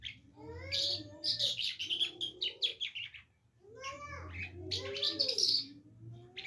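A lark sings in two rich, rapid bursts of high twittering and trilled chirps, each lasting about two seconds, with a faint low hum beneath.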